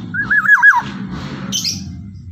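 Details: A Javan black-naped oriole (kepodang emas jawa) gives loud morning song: a rich, fluty, rolling whistle, then a brief high, harsh note. A steady low hum runs underneath.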